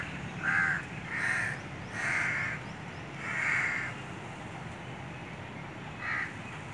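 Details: Crows calling to each other, giving five loud, harsh caws, four in quick succession roughly every three-quarters of a second, then a pause before a last one, with faint background hiss.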